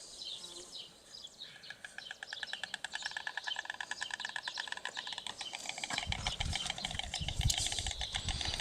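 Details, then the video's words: White stork bill-clattering: a rapid, even rattle of dry wooden knocks running for several seconds, ending in louder low rumbling noise. "White Stork: bill--clattering"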